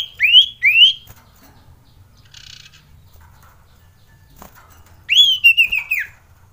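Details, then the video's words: Male common iora, agitated and in mating mood, lure recording: two sharp upslurred whistles, then after a silence a bright whistled phrase breaking into a quick descending rattle of notes. "Pancingan Cipow / Sirtu Untuk Cipoh Malas Bunyi"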